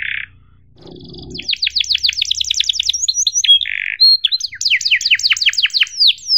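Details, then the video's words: Canary 'gacor' cuit-cuit song, played as tutor song for young canaries: a short buzzy note, a brief pause, then long runs of rapid downward-sweeping chirps, another buzzy burst, and more fast sweeping rolls. "PANCINGAN Kenari GACOR PANJANG EPS31 Cuit CUIT EMOSI AMPUH utk MASTERAN Kenari PAUD belajar BUNYI"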